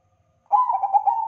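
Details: Zebra dove of the Perkutut Bangkok crossing line singing actively in a training recording; one soft, rolling coo phrase begins after a short silence, made of several quick undulating notes in a steady mellow tone.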